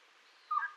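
An elegant trogon gives a single short, hoarse, mid-pitched note lasting about a quarter second. Soft background hiss is all that surrounds it.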